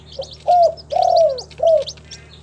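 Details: Captive local spotted dove (Spilopelia chinensis) on a farm in Timika, Papua, giving soft, hollow coos: a short lead note, then three mellow, slightly falling coos, the middle one drawn out; small birds chirp high in the background.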